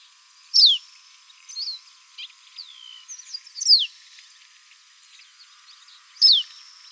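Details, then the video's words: A Pearly-bellied Seedeater (caboclinho-branco, Sporophila pileata) gives loud, high, sharply falling whistled notes about every three seconds, with soft twittering chirps between them against a quiet background. "O Canto do Caboclinho Branco - Sporophila Pileata - Pearly-bellied Seedeater"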